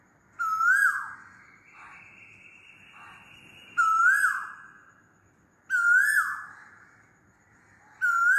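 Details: Repeated loud calls of an Asian koel, four rising whistled notes spaced about two seconds apart, each swelling sharply, with a soft steady tone between the first two.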